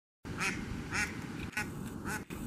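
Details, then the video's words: Duck waddling along a dock in Old Forge, New York, in 2020, giving four nasal quacks spaced about half a second apart over steady background noise. "Duck quacking"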